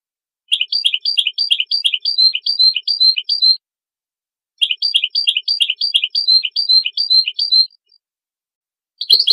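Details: European goldfinch pure song for teaching goldfinches: two long, identical runs of rhythmic, bright twittering notes, each lasting about three seconds, separated by a silent pause, then a new phrase begins at the end. Clean, with no other sounds.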